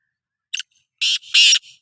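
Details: Black francolin, known locally as Sindhi kala teetar, calling: a short harsh note, a pause, then two loud, rasping, grating syllables in quick succession against a silent background.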